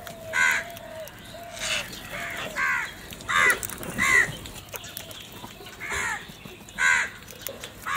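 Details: Morning crow feeding, with repeated harsh caws spaced about a second apart and quieter, lower calls from other birds early on, over outdoor background noise.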